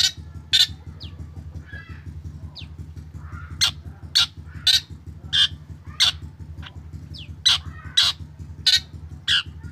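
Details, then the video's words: Black drongo lure song meant to set other drongos singing. Sharp, scratchy chips come in irregular bursts with a few quick whistled slurs between them, all over a constant low mechanical throb. "SRIGUNTING HITAM GACOR SUARA UNIK BIKIN SRIGUNTING LAIN IKUTAN GACOR"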